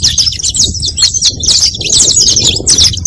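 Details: Brief burst of saffron finch song, used to lure others: a steady stream of high, squeaky chirps and twisted notes for three seconds, some low background rumble.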